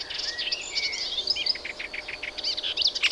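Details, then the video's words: Melodious warbler song, a brisk run of squeaky twitters and short drawn whistles, ending in a series of rapid repeated chips. "Hypolaïs polyglotte"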